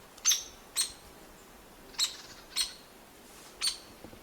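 Hairy Woodpecker giving five sharp, harsh single pik notes, high and metallic, spaced irregularly about half a second to a second apart.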